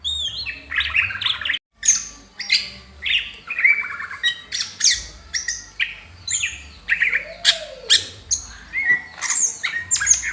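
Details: Continuous busy singing by a Greater green leafbird with fanned tail: dense runs of buzzy chatter, sharp high clicks and whistled slurs, briefly breaking off once before resuming just as energetically.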